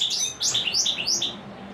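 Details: European Goldfinch, described as a royal, unbeatable singer, giving a quick run of high, bright twittering notes, sliding chirps and short trills, jumbled and fast, over a faint low hum.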